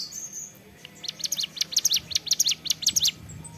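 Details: Song of a ciblek gunung, a prinia, in the ceplekan style: a faint thin note, then about two seconds of quick, evenly paced, high, sharp chips, each repeated in a bouncy rhythm.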